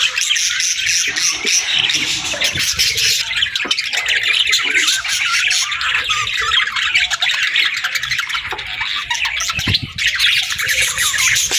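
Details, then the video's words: Long, unbroken morning chorus of parakeets: loud, overlapping chirps, rasping squawks and warbled twitters at a steady, busy level throughout. "Parakeets Chirping Sounds"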